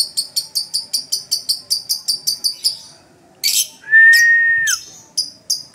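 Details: Lovebird singing in gacor style with ngetik and ngekek chatter: a quick run of about thirteen sharp high ticks, a rough burst, then a long steady level whistle, followed by more scattered high ticks.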